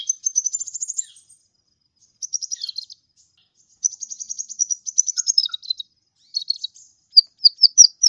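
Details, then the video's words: Lively song of a kolibri ninja sunbird, meant for tutoring other birds: long fast twittering trills with brief gaps, ending in several separate sharp high chirps. "suara burung kolibri ninja gacor"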